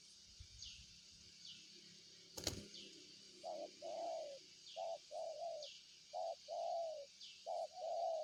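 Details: Repeated coos of a spotted dove begin after a sharp knock. Short clipped notes alternate with longer mellow ones in a steady rhythm, over a continuous high insect drone and faint descending whistles in the background.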